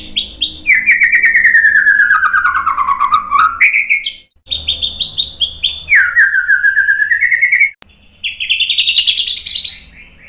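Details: White-rumped shama singing to stir other birds into song. Loud, rapid pulsed whistles slide steadily downward in long phrases, broken by brief pauses, then rise into higher rattling notes near the end.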